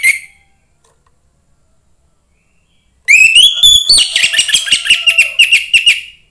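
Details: Young forest orange-headed thrush singing, used to stir other thrushes: after three seconds of near silence, a loud burst of fast, varied whistles sliding upward, then rapid repeated chattering notes with harmonics for about three seconds.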